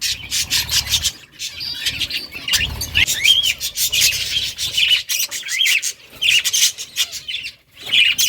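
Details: Budgerigars in a breeding colony, caged: a dense chorus of high, rapid chirps and short warbled notes from many birds at once, with clicking and scratching sounds between calls.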